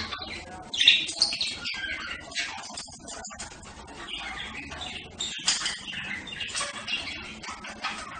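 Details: Budgerigar warbling in a long run of chirps, squeaks and raspy twitters, loudest near the start, then softer chatter throughout.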